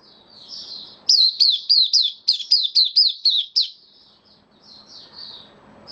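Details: Caged white-eye, recorded 18 May 2022 following deworming treatment: soft high twittering, then a loud burst of about ten sharp, down-slurred chirps, fading back into quiet twitters.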